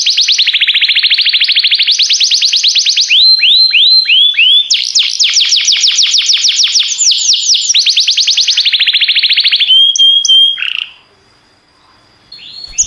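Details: Singing canary delivering a sustained, loud song of rapid high trills, shifting between fast buzzy rolls and descending whistled sweeps, with a brief steady whistle before a sudden pause and soft resumption at the end.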